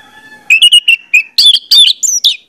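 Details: Orange-headed thrush, kept as a cage bird, used as a lure song: loud, varied whistled and chirping phrases in quick bursts, some sliding notes, after a faint steady tone.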